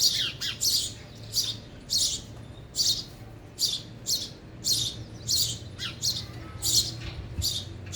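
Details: Sparrows eating at a feeder repeat crisp, high chirps about every half second in an even pattern, with a low steady hum in the background.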